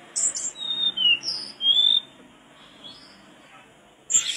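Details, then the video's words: Mangrove blue flycatcher singing, used as tutoring material for songbirds: high sharp notes, then clear whistled slurs that fall and rise, followed by a quiet pause and a sudden bright chip at the end. "tledekan bakau gacor teler"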